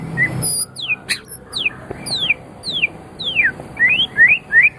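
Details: White-rumped shama song used as tutor recording for training pet songbirds: clear whistled notes sliding down from high to mid pitch, delivered in a quick uneven series with rising slurs near the end, faint low hum beneath.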